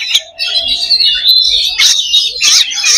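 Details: Oriental magpie-robin in fighting-style song, a dense run of high whistles and trills broken by harsh, raspy bursts, loud and continuous throughout.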